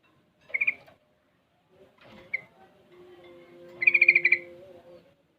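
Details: Juvenile sooty-headed bulbul of six months learning ropel and garuda song: a brief pulsed phrase, a single sharp note, then a longer rattling trill over a steady low hum.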